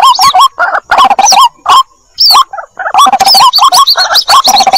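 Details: White-breasted waterhen chick calls to its mother in a lure recording: rapid hoarse, hooked notes, a near-silent pause of about a second, then renewed dense chattering.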